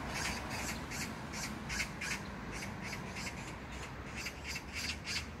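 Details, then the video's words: Magpie giving a harsh, rattling chatter of rapid raspy notes, about three per second, over a low steady rumble; recorded in a neighbourhood park in Gyeyang-gu, Incheon, South Korea, June 19, 2022. "magpie sound(까치소리)"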